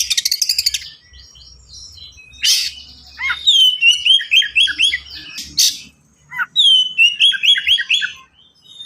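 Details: Oriental magpie-robin singing fast and densely with unique fill phrases, meant for young birds to copy: a rapid buzzy rattle, then sweet down-slurred whistles in quick repeated series, broken by sharp harsh bursts, over a faint hum.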